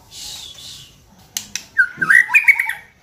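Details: White-rumped shama song meant as a lure to provoke singing. A soft hiss and a few clicks, then a short burst of quick, bright warbled whistles.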